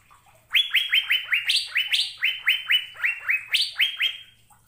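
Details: An Asian fairy-bluebird sings a long, continuous series of bright upslurred whistles, about fifteen notes at a brisk even pace, several notes pitched higher than the rest.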